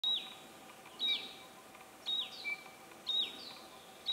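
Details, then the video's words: Hill prinia in Thailand, a clear high whistled note falling slightly at the end, repeated about once a second in a steady series over faint background hum. "HIll Prinia鳴き声のみ"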